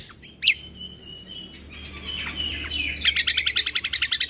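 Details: Combo bulbul recording intended to provoke other birds: a single sharp note, drawn-out descending whistles, then a rapid, steady rattling trill over a low background hum.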